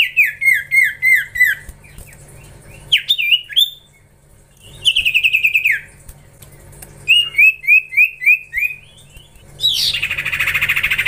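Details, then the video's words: A young common iora in training gives quick runs of four to six sharp, down-slurred notes, each series breaking off and resuming, ending in a harsh, rasping burst. "Gacorrr ngelatih cipow cipoh anakan"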